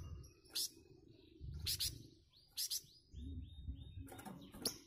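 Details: Flamboyan bird answering other singers with short, loud, rough bursts spaced about a second apart, followed by a few thin whistles from other birds and a low background hum.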